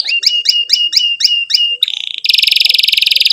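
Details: Canary song played to teach young canaries to sing: a run of sharp repeated chirps about seven times, then a brief buzzy note and a long fast rolling trill.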